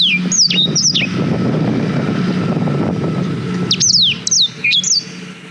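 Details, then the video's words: Black-throated canary song for tutoring canaries, shot with a GoPro Hero 5: a few sharp falling whistles open and close the passage, separated by a long stretch of loud rumbling vehicle-like noise. "Suara Blackthroat Durasi Panjang Untuk Masteran Kenari"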